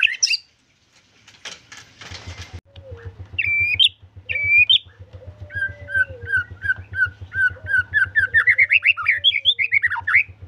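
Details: White-rumped shama singing energetically (gacor): after a brief burst of noise, clear whistled notes and looping phrases build into a quickening run of varied chirps, over a steady low mechanical hum.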